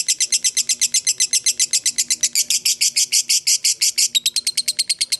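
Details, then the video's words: Fighter lovebird's ngekek, a long chattering song used to provoke other lovebirds into replying: loud, harsh, high notes repeated rapidly and evenly, becoming slightly quicker and thinner toward the close. "Dengarkan Suara Lovebird ini dijamin ikutan Nyaut Ngekek"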